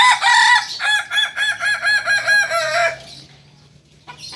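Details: Loud, close Kokok Balenggek crow: a string of about nine harsh, stacked syllables in quick succession over three seconds, fading out, then a brief faint call near the end.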